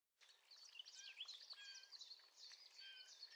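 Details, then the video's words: Male Eurasian blackcap singing about 30 metres away, recorded from a kitchen window: a fast, rich warble of high chattering notes mixed with short clear whistles, continuous throughout, with faint background hiss. "Mönchsgrasmücke - Gesang"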